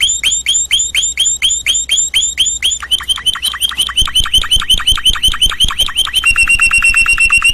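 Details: Canary song built from repeated tours: a run of sharp downward-sweeping whistles, then a quicker chattering phrase, then a rapid high buzzy trill, each syllable repeated many times in steady rhythm.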